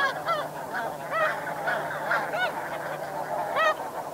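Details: Snow goose flight calls at Chincoteague, Virginia, U.S., with a dense background of flock calls; scattered nasal honks rise above a continuous chorus of distant goose voices.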